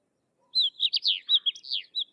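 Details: Sykes's lark giving a continuous warbled phrase of loud, high, twisting whistles and slurred notes, run together without breaks for under two seconds.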